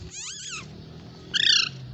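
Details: Two Indian ringneck parakeets playing and squabbling: a harsh, arched, harmonic screech, then after a short pause a briefer, brighter, piercing squawk, over a low steady background hum.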